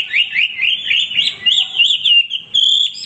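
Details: Nonstop song of a male hwamei kept for training birds, a run of quick slurred whistles rising and falling in a bouncing, repeated pattern, ending on a sustained high note.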